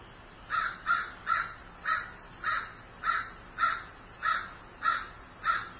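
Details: Rapid run of about ten coarse caws from a crow described as grieving, delivered almost once every half second in an even rhythm.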